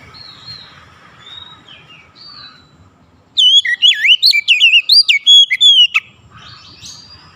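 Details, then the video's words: Oriental magpie-robin bursts in after quiet background twitters with a rich two-and-a-half-second sequence of sweeping, warbled whistles and sharp upward flicks, ending abruptly. "KICAUAN KACER YANG INDAH DAN ENAK DI DENGAR"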